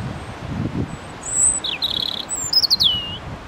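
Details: European robin (Erithacus rubecula) singing among branches: a varied, high phrase of thin whistles, a quick trill and liquid descending notes, over a faint low rustle.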